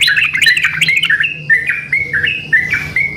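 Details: Yellow-vented bulbuls answering one another: quick chattering whistles at first, then evenly spaced, liquid two-part notes roughly every half second, over a low background hum.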